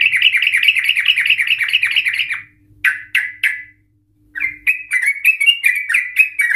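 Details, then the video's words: A vocal Sooty-headed Bulbul gives a long rapid trill meant to provoke other Sooty-headed Bulbuls to sing: over two seconds of fast, wavering chatter, a pause, three sharp rising notes, silence, then quick repeated chirps resuming. "Trucukan Gacor EMOSI Ropel panjang Ngikluk Ampuh untuk Pancingan Trucukan agar bunyi Ropel"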